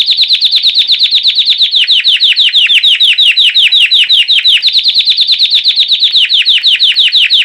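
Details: Belgian white canary in the classic campainha song style, post-moult training material; a strong continuous rolling trill of ringing, downward-sweeping notes repeated rapidly and steadily, briefly shifting pattern midway before resuming.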